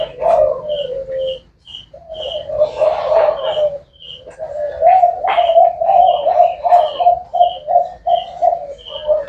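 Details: Repeated low mellow coos from a spotted dove, a rhythmic run of pulsing notes broken by a short pause, while high short chirps sound in the background.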